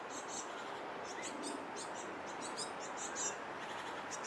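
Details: Great tit fledglings pursuing their parents to be fed near a bridge, giving high, squeaky begging notes in short irregular bursts, partly masked by a loud continuous rushing background.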